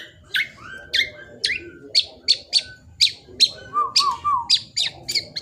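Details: Black-naped oriole fledgling, used as a lure, delivering a long series of sharp downslurred chips about every half second, with a few low whistled slurs and a quick trio of wavering fluty notes midway.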